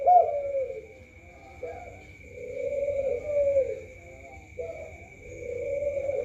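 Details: Spotted dove (tekukur) cooing: low, hollow drawn-out coos that swell and fade, a short opening note, then long even phrases about every three seconds, with a constant high electronic whine behind them.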